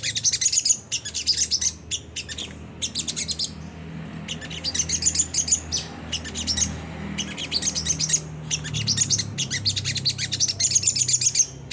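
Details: Sunda whistling thrush with rough twittering ngriwik kasar song, used to trigger singing in caged birds; bursts of rapid high chirps about a second long alternate with brief quiet spells, faint hum beneath.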